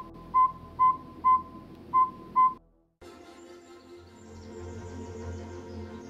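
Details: Northern Saw-whet Owl, one of North America's smallest owls, gives five clear, mellow toots on one pitch, about two per second; its soft repetitive call is likened to a saw being sharpened. Soft background music follows.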